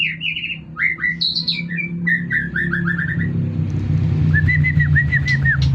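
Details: White-rumped shama, a competition-grade songbird, singing clear whistled phrases: rising and falling slurred notes, then a fast run of repeated arched whistles near the end, over a steady low hum.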